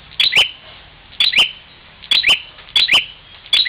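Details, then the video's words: Bar-winged prinia from Parigi, Ciamis, West Java, battling a mirror image, giving quick double chips, bright and high with a falling tail, in five bursts close together. "prenjak luhur tarung dgn cermin"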